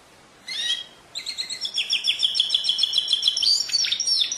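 A canary sings a bright, high, rapid song: a short opening phrase, then fast repeated trills and rolling notes that run on without pause.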